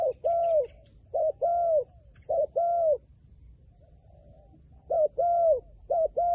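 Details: A wary wild pigeon coos in loud, rounded notes grouped in twos. Each pair is followed by a brief pause, with a quieter gap partway through before the rhythmic cooing resumes. The background is otherwise quiet.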